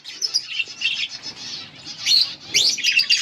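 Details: Two yellow budgies chirping, a run of quick high twittering notes ending in sharper rising chirps.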